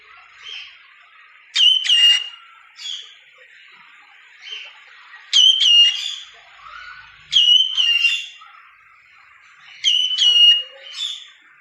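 A cockatiel sings bright whistled phrases with sharp clicks, repeated every few seconds.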